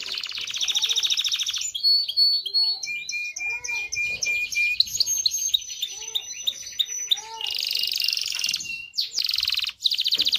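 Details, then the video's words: Canary song meant to stimulate males and females to mate: a long varied run of high rapid trills, buzzy rolls and sharp whistled notes, with abrupt changes of phrase and short pauses. "تغريد كناري لتدريب ذكور واناث الكناري على التزاوج. صوت كناري لتزوج .. Canary singing"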